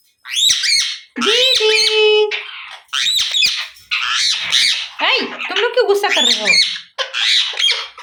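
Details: A pet rose-ringed parakeet, described by its owners as angry and screaming at everyone, gives harsh, grating screeches in loud bursts of a second or so, one after another, with a person talking softly in between.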